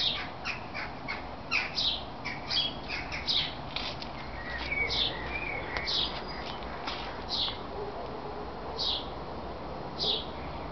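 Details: Great tits flying in and out of a backyard nest box at feeding time in Veghel, the Netherlands; short, thin, high chips given irregularly, some in quick pairs, over a steady wash of outdoor background noise.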